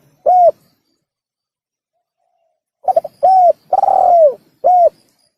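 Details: Spotted dove recorded as a hunting lure: one isolated coo, then after a silence a full phrase of stuttered notes, a coo, a long descending coo and a short final coo.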